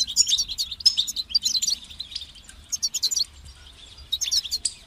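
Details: European goldfinch song played to stimulate other goldfinches' natural singing talent: bright, high, twittering bursts with liquid trills, broken by short pauses between phrases.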